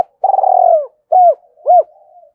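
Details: Spotted dove cooing, played to lure and stir up other doves: a long, rolling, slightly falling low coo followed by two short, clear, arched coos, all in one steady low pitch band, clean with no other sounds.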